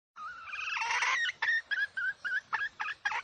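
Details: Decoy hen calling to lure wild roosters for trappers: a rough, rising opening note, then short clucks in an uneven series of about eight, each a harsh note with a clear tonal band.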